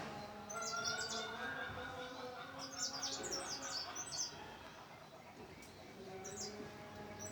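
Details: Quick high-pitched chirping phrases from a mountain leaf warbler, delivered in short clustered bursts with gaps, over faint steady tonal hum and background noise.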